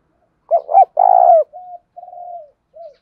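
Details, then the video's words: Tame decoy spotted dove calling to provoke other doves: a stuttering double note, then a long, loud, level coo, followed by softer drawn-out low coos trailing off, all mellow and low-pitched with no other sounds. "Chim cu gáy cu gáy kích bổi, tiếng cu gáy mồi thuần gáy gọi và thúc căng lửa"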